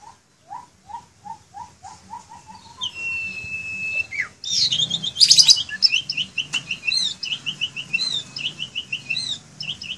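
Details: A caged Asian pied starling sings actively: a run of low rising whistles, then a long flat high whistle and a fast medley of squeaky, chattering notes.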